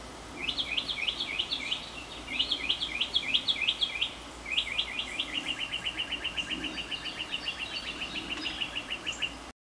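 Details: Northern mockingbird in a long song cycle heard from a porch: clusters of quick rising notes repeated several times, then a long even series of rapid chips, over light breeze.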